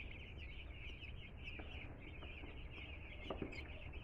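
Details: Two-day-old chicks, freshly arrived at a home, fill the air with rapid overlapping high-pitched peeps, a few sharper clicks or knocks standing out near the end.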